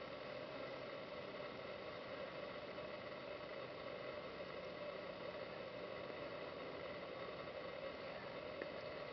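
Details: Even, unbroken hiss and hum for the whole stretch, with no animal sound.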